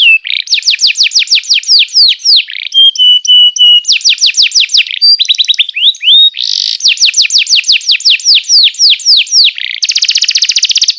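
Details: Song of a canary meant to teach young canaries: long fast rolling tours of repeated downslurred notes, broken by a steady piping phrase and pulsing chips, ending in a fast buzzy rattle.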